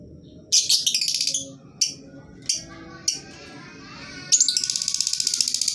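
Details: Lovebird sound used to stimulate silent birds to sing: fast buzzy stuttering chatter, a few sharp single chirps, then a longer rapid rattling trill to the end, over a low hum.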